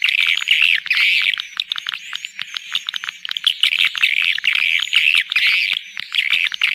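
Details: Lure call to attract swiftlets: bursts of buzzy mid-high chattering chirps in uneven clusters, with thin high whistled notes drifting above.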